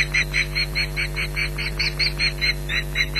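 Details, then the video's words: Osprey alarm calls at a Scottish nest at Loch Garten, mid-July 2011, aimed at an intruding bird; even, rapid run of shrill piping cheeps, about two to three per second, over constant electrical hum. "Intruder Alert"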